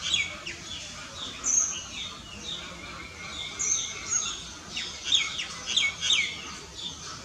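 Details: Common myna calling in a busy sequence of high chirps, squeaky whistles and quick downward slurs, the notes grouped in loud pulses roughly every half second in the second half, with light background hiss.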